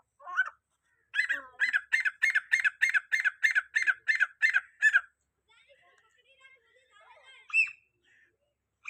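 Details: Grey francolin (teetar) calling to draw other francolins: a rapid run of about a dozen harsh, ringing notes repeated roughly three per second, then a pause with faint scattered chirps and one louder closing note.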